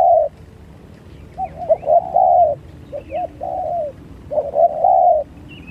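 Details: Spotted doves during a fight, giving repeated mid-pitched, slightly burry coos in groups of two and three notes, with longer drawn-out final notes and short pauses between phrases; faint background hum.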